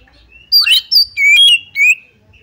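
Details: Oriental magpie-robin song meant to stir another bird to fight: loud, pure whistles that slide up and down, four distinct notes within about two seconds, the last a long falling slur.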